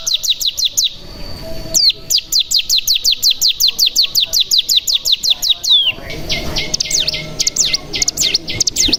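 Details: Mountain tailorbird lure song mixing cigun calls, 'bren' trilling and prinia (ciblek) phrases: long bursts of rapid repeated rising chips broken by downward slurs, then varied zigzag high notes.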